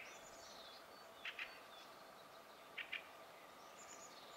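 Fieldfare giving two quick pairs of harsh, chattering notes about a second and a half apart, with faint high twittering from other birds behind.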